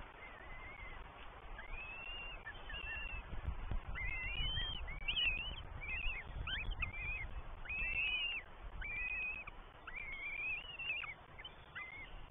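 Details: Northern goshawk young, three chicks fed by mother and then father, beg at a New Forest nest on 20 May 2023, seen on a live camera. Repeated shrill arched whistles follow one another steadily over low rumbling noise.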